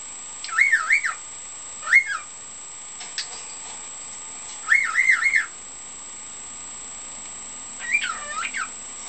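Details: A pet cockatiel whistles four short tuneful phrases of wavering mid-pitched notes, spaced a few seconds apart, from its learned repertoire, including part of a song it is practising, a "hokekyo" imitation and "bibbidi-bobbidi-boo".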